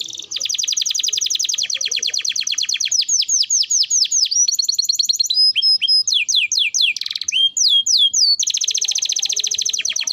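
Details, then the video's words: Energetic canary song used to train other birds: clean, loud, very fast trills of high notes run into rhythmic downward-swooping whistles and a few sustained tones, ending in another rapid rolling trill. "burung kenari masteran gacor"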